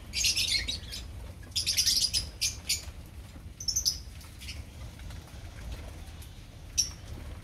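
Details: Opaline lovebird colony: two loud clusters of high, scratchy chatter early on, then sparser single squeaks over a quiet background.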